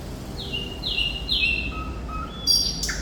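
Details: Thrush nightingale (sikatan londo) song. Three long, slurred whistles drop in pitch, followed by lower short whistles and a brief harsh note at the end.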